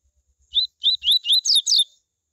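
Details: Coleiro singing the tui tui song to stimulate other coleiros: a run of six bright, slurred whistled notes over about 1.3 seconds, the last pair higher pitched and rasping, faint low thumps before.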